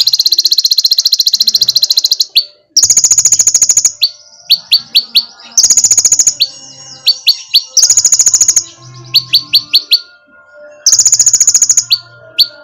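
A sunbird sings loud, high, buzzy trills about a second long, each followed by a quick run of sharp, thin ticking notes, repeated several times.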